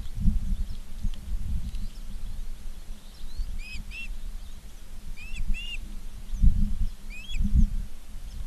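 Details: Osprey at a nest in Charlo, Montana, on 19 August 2023 in the afternoon; a few short, sharp upslurred chirps come in small pairs over steady low hum and rumbling noise.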